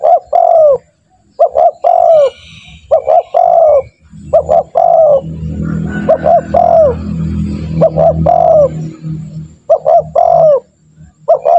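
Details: Spotted dove lure call for training doves to call fast: repeated two-note-plus-long-coo phrases run steadily throughout, while a broad rumbling noise swells through the middle section.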